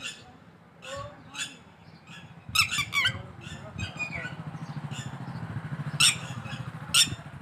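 Red-wattled lapwing giving shrill, strident notes, including a quick burst of three, over a steady low engine rumble and faint voices.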